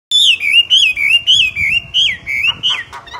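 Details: Myna singing loudly: a fast series of clear, loud whistled notes that waver up and down, about three per second, with no other sounds.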